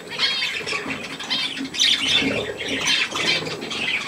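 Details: Budgerigars and young birds with millet, continuous scratchy warbling and squawks with clear harmonic notes, rising and falling over four seconds, several birds overlapping.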